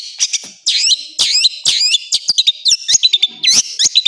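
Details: Long-tailed shrike full training song made of separate high, looping whistled notes and short chirps, delivered in quick irregular bursts with brief gaps between them.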